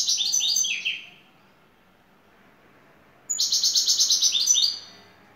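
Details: Şakşaklı song of a Turkish European goldfinch lead bird: a descending twittered phrase tails off, silence follows, then a high note introduces a fast, regular, chattering trill.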